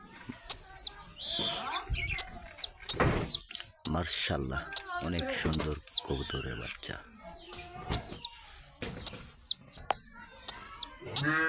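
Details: Young pigeon chicks make short, high, piping squeaks, each slightly arched, sounding every second or so across the stretch while people talk loudly close by.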